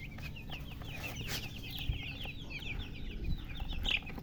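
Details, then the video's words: Baby chickens peeping in a busy chorus, rapid short high chirps tumbling over one another, with a steady low rumble and a few soft knocks behind. "Baby "Chicks Chirping" Sound"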